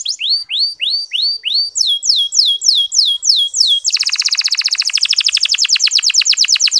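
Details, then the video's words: Lure song of a canary, soft 'ngeriwik halus' twittering for stirring male canaries to sing: a string of swooping down-slurred whistles, about two per second, breaks into a fast buzzy trill. "Suara Kenari Ngeriwik Halus"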